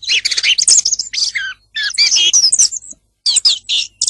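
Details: Song thrush singing: a dense run of varied high, sharp notes and squeaky chirps with rapid buzzy trills, broken by two short pauses, with no other clear sounds.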